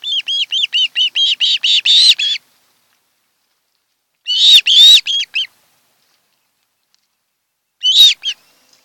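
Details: Osprey couple nesting on Kent Island, Maryland, in July; a quick string of high piping whistles, then two louder grating squealed bursts separated by silence.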